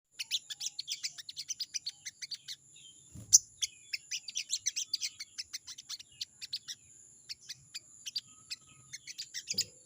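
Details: Crested jay (sogon) calling out to a rival, a chattering 'crecet crecet': rapid, dry, high ticking notes in steady runs of about four per second, with brief pauses, heard at a distance. There is a faint low thump partway through.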